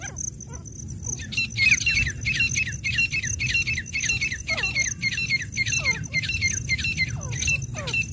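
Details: Wild grey francolin, locally called teetar, calling in rapid, harsh, high-pitched notes repeated about twice a second, with a steady high electronic whine and low rumble underneath.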